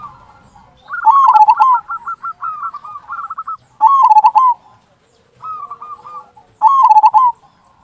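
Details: Local zebra dove in full voice giving its loud "kung" song, used as a lure to make other zebra doves sing: strong warbled cooing phrases alternating with quieter rapid clipped trills, loud phrases returning roughly every three seconds.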